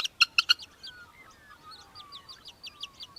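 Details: Australian hobby recorded in Victoria, Australia, in December 2023: three loud, sharp, harsh notes in quick succession open the clip, followed by a quieter background of other birds' sliding whistles and chirps.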